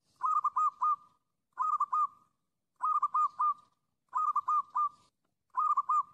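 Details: Wild zebra dove giving a steady series of rolling, trilled coos, five bouts in quick succession, each a cluster of three or four bubbling notes at an even pitch, separated by brief pauses.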